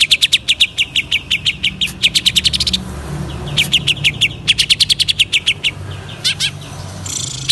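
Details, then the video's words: Greater green leafbird, a kept bird from East Java, Indonesia, singing hard: rapid trains of piercing whistled notes, broken by short pauses and a few buzzy, rising phrases. "cucak ijo gacor, menaik kan emosi cucak ijo jamtrok"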